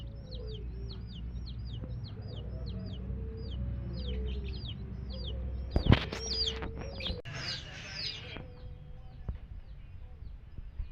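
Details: Baby chicks with a hen: thin high peeping chirps repeated about twice a second, soft low hen clucks beneath, a burst of wing flapping and scuffling midway, over a constant low rumble.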